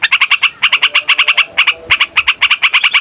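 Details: Yellow-vented Bulbul (trucukan) singing for luring and tutoring birds: clusters of rapid, rich chirping notes in groups of three to six with short gaps between clusters.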